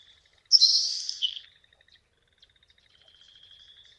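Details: Nelson's Sparrow in a prairie marsh gives its quiet, super-breathy, sizzling call, which carries barely 50 metres: one hiss of about a second ending in a short lower note, then faint thin high notes trailing off.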